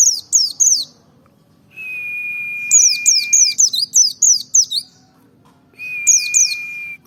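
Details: White-eye of the Merapi ngalas type in a song used to provoke other white-eyes: bursts of fast, descending high chirps alternate with a long, even, lower whistled tone that holds for nearly two seconds.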